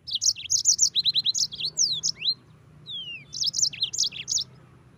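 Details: High, tumbling song of a yellow-fronted canary: dense bursts of sharp chirps, a run of repeated descending notes, two drawn-out whistled slides, then another fast twittering flourish.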